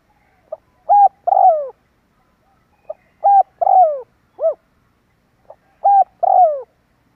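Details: Spotted dove cooing as a lure for drawing birds closer: three similar phrases about every two and a half seconds, each a faint pip, a short coo and a longer falling coo, with one extra coo after the second phrase.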